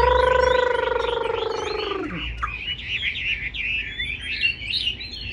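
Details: Caged Chinese hwamei: a drawn-out harmonic crow from another bird fills the first two seconds, then the hwamei breaks into fast, varied warbling and whistled notes.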